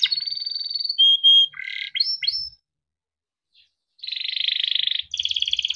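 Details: Yellow Timbrado canary song in short bursts: a steady whistled tone, a few swept notes, a pause, then fast buzzy rolling trills.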